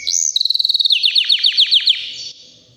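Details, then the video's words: About three years old, a white canary sings: a rising whistle leads into a quick, regular trill of bright repeated notes that slows into deeper dipping chips before fading out. "BEAUTIFUL WHITE CANARY NON STOP POWERFUL SINGING"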